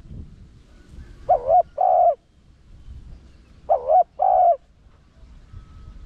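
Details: Rặc Đồng voice of a spotted dove in urging coo, sung to lure wild doves; two paired phrases, a quick wavering coo then a fuller drawn-out one, about two and a half seconds apart.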